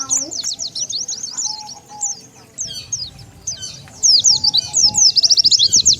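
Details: Oriental white-eye lure call meant to attract wild birds: uneven high chirping that grows into a loud, very rapid chatter of thin, sharp notes near the end, with a soft low hum.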